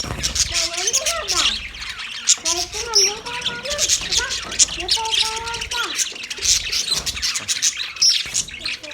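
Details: Australian budgies chirp and squawk in a crowded high chatter, with lower, rising and falling warbled notes woven through and sharp squeaks standing out.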